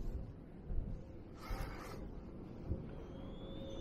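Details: Low engine-like rumble throughout, with a brief rushing burst midway and a faint thin tone near the end; no clear animal call.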